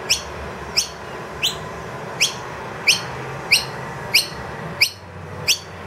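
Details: Wild noisy miner that brought two young into a room to be fed, calling loudly for food once the feeder ran empty: sharp, high, sweeping chirps about every two-thirds of a second, nine in all, over a faint low hum.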